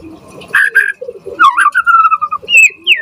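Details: Singing white-rumped shama used to provoke replies from and train other shamas: slurred mid-pitched notes, a wavering phrase, then a long gently falling whistle and a rising high note.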